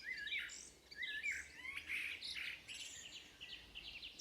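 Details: Woodland birds at Beder near Aarhus, Denmark, beside Moesgaard Museum. Repeated wavering whistled phrases alternate with clusters of quick chirps from several birds, steady and lively throughout.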